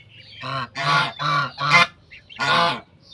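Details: Domestic goose with her goslings on a farm: five loud, harsh nasal honks in quick uneven succession, rich in harmonics, with a short gap before the last one.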